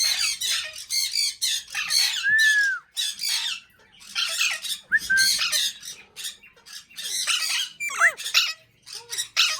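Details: Pet Indian ringneck parakeet, billed as a talking bird, utters a dense series of harsh raspy squawks broken by a few clear whistled slurs.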